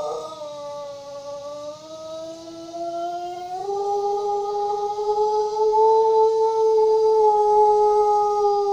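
A Pelung rooster gives one unbroken, drawn-out crow lasting nearly nine seconds. The tone is full and musical and slowly climbs in pitch, with a faint hiss behind it.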